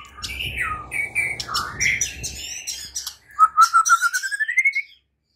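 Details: White-rumped shama singing, played to coax other shamas into full, open song. Varied slurred whistles over a low rumble, then a long series of quick notes rising steadily in pitch.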